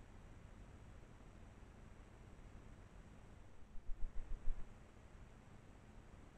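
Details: Steady broadband hiss with a cluster of low rumbling thumps around the middle, and no animal call audible.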